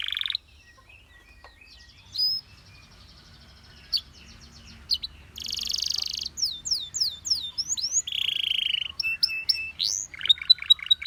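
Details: Canary starting with sparse, isolated chirps over a faint background hum, then breaking into buzzy notes, swooping whistles and quick repeated high chirps in the second half.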